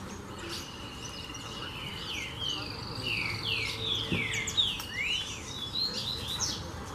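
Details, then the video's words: Many saffron finches at a farm where layer feed was put out: a steady high whine runs under loose bursts of falling, slurred chirps, and a brief click stands out near the middle. "Canário Da Terra aos Montes!!!"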